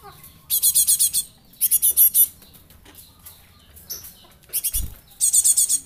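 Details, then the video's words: Java sparrow chick used as a lure, giving clustered runs of five or six piercing high chips in quick succession. The runs are repeated about every second or two, with a few softer scattered notes and one low thump between them. "Glatik anak,an pancingan"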